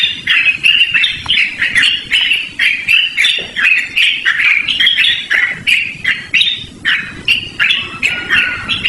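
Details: Yellow-vented bulbul in loud, melodious continuous song used for luring or training birds; dense bubbly, chattering notes run together over an outdoor background hiss.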